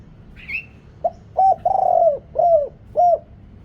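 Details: Deep-voiced spotted dove used as a Thai decoy to call in wild birds; a faint high chirp, then a sequence of low, hollow, arching coos, the middle one drawn out and slightly rolling.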